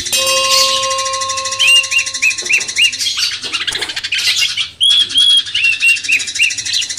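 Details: Sooty-headed bulbul used as a master song to stir a magpie-robin: short rising whistled notes repeated in quick runs, over a dense high hiss of chirping and a steady low tonal hum early on.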